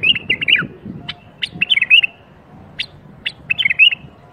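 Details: Bulbul birwaz, meant to set other bulbuls singing: a fluttering whistled phrase opens, followed by scattered sharp chirps and a second warbled phrase, over faint low background noise.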